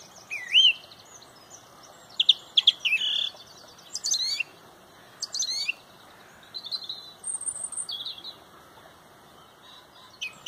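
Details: Song thrush, described as fabulously loud, leading a dawn chorus at sunrise in Pontrobert: bright, varied whistled phrases and sharp sweeping notes in bursts, with other songbirds chirping high in the background.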